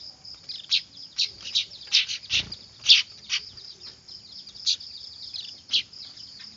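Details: Weaver chicks calling noisily for luring birds: loud scratchy chirps cluster in the first three seconds, then come sparser, with a constant shrill tone and one low thump.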